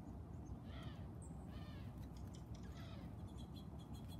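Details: A chickadee in a tree packed with sticks to stop neighbourhood cats hiding there gives a few harsh, buzzy 'dee' notes with faint clicks over a steady low rumble of wind or traffic.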